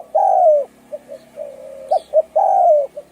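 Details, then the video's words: Thai-type spotted dove with a rough, hoarse voice, cooing to rouse males and females: two long husky coos framing a few soft, short notes. "Tiếng chim cu gáy thái giọng khàn gáy gù kích trống mái kích bổi nhanh nổi"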